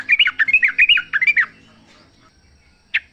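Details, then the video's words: Wild yellow-vented bulbul singing in the forest, used as a lure to make a caged bird sing: a fast run of bubbly, chattering notes over about a second and a half, then quiet and one short sharp note. "trucuk gacor ngalas full suara alam"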